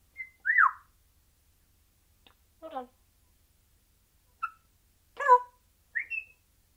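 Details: Caged single parrot in sporadic, noncoherent chattering: a sharp falling whistle, scratchy harmonic squawks, a short clipped note and a closing rising whistle, irregularly spaced against a quiet background.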